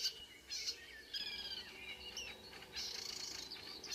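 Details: Early-morning song of a marsh warbler near Kråkstad, Norway, 2 June 2009, at 5 a.m.: high whistled slurs and scratchy notes run together in a rapid, varied sequence, several singers possibly present.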